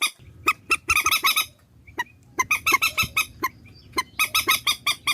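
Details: Compiled swamphen calling used as a trapping lure: rasping, honk-like squawks delivered in quick clusters, a brief lull after the first second, then steady repeated notes to the end.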